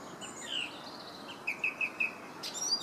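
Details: Song thrush in Herttoniemi gives a brief whistle, then a run of four quick, clipped notes repeated at an even pitch. A higher, brighter note closes the snippet against faint background noise.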